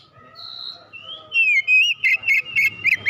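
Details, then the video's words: First-place singing-contest oriental magpie-robin delivering a short burst of song: a long thin whistle, a wavering slurred phrase, then quick repeated bright chirps. "Burung kacer mas Pentiel juara 1"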